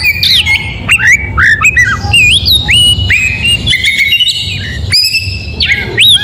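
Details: In morning song, an oriental magpie-robin sings in loud bursts of looping whistled notes and sharp upward flicks, with harsher squawky elements between phrases and short gaps of quiet.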